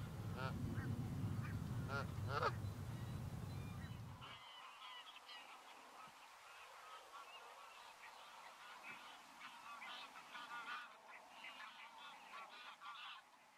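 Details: A flock of Canada geese (Branta canadensis) at Strijen, Netherlands, in March 2024, honking continuously with many nasal, overlapping calls about two per second. Loud low rumbling wind or engine noise fills the first four seconds.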